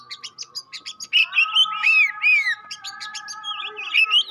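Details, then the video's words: Oriental magpie-robin song used to provoke other magpie-robins: rapid high clipped notes, then curved downslurred whistles and varied chirps, with a constant low hum underneath. "Tes Kacer Anda dengan Kacer Pastol Ini. Semakin lama makin Panas"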